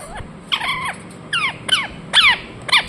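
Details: Indian ringneck parakeet making five rasping, downward-sliding calls, spaced roughly half a second apart, over a quiet background hum.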